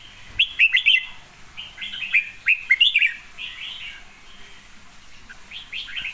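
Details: Red-whiskered bulbul singing short bursts of rich, warbling whistled phrases, several lively notes clustered then pausing, with a few sharp clicks and faint rustling behind.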